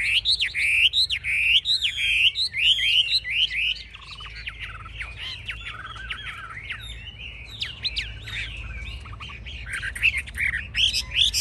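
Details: Chinese hwamei kept in a cage, displaying with high wings and spread tail, a bird noted for fierce fighting; a continuous stream of bright, looping whistles and quick slurred notes, loud at first, softer mid-phrase, then building again.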